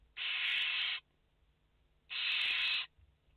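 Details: Barn owl nestlings, five in the nest, 29 August 2021: two long harsh hisses, each nearly a second, two seconds apart.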